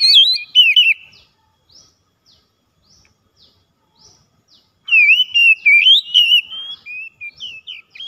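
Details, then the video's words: Oriental magpie-robin (kacer) singing as a daily lure to get a lazy bird going: a rich warbled opening phrase, a pause with faint high chirps, then a long run of loud, varied looping whistles repeated in quick succession. "PANCINGAN HARIAN KACER MALAS BUNYI TAMBAH JOOS GACOR"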